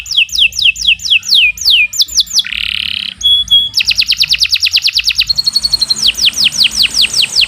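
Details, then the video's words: Canary in long continuous song used as a master for training: quick falling whistles, a brief harsh buzzy note, sharp chips, then a fast rolling trill and a run of downward sweeps. "Kicau Burung Kenari 107 II GACOR PANJANG"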